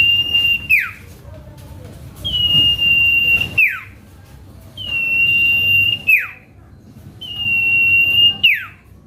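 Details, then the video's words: Common Iora (cipoh kacat) singing to provoke rival birds: four sustained, high, level whistles in a regular series, each finishing with a rapid descending slur, with short silent spaces between them. "Bongkar Isian Cipoh Kacat | Cipeuw Gacor Pikat Lawan | Pancingan Cito Mandek"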